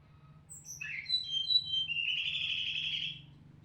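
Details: Mountain flycatcher (tledekan gunung) song used as a training recording to provoke and excite other flycatchers: thin high whistles slide downward, then break into a buzzy, sustained trill, over a low steady hum.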